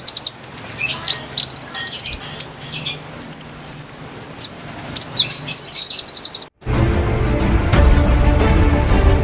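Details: Konin song for luring wild birds: thin, very high trills and chips climbing in pitch for about six seconds, then cut off by a burst of loud broad noise.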